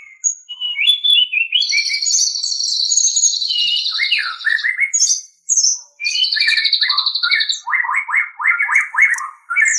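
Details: White-rumped shama song used to train captive birds: rich varied phrases mixing long high buzzy trills, clear whistles and a closing series of quick descending notes, nearly unbroken.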